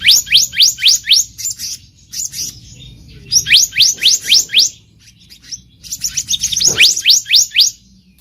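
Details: Three runs of five or six bright, rapidly upswept notes from a wild black-naped monarch, each run separated by a short silence; used as a lure call for trapping.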